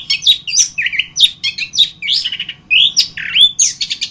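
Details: Master training song of an orange-headed thrush, a continuous string of quick varied phrases: bright whistles bending up and down, clipped chirps and short slurred motifs, delivered close and clear without other sounds.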